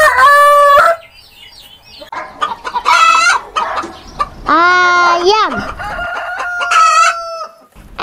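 A rooster crows in several loud, harsh, drawn-out bursts, one ending in a falling slur, with softer clucking between the crows.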